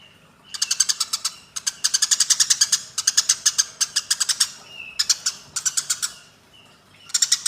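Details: Eurasian tree sparrows fighting: rapid bursts of harsh, buzzy chirps in dense runs of about a second each, separated by brief pauses, with a few soft whistled notes between bursts.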